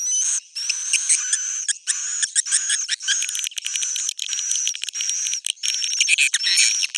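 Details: Old-style swiftlet sound: a steady stream of high twittering and buzzy chirps with rapid clicking textures, broken by brief pauses.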